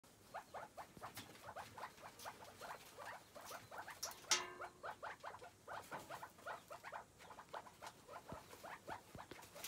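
Chukar partridge giving a steady run of short, clucking chuck notes, several per second, with one harsher squawk midway; little else heard.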